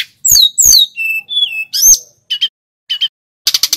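Snowy-browed flycatcher singing: thin, high falling whistles and sweeping notes, then short buzzy chattering bursts. No other sounds.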